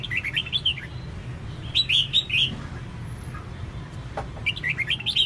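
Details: A female red-whiskered bulbul calls to stimulate males to sing, giving short runs of quick, wavering chirps three times over five seconds over a constant low droning hum.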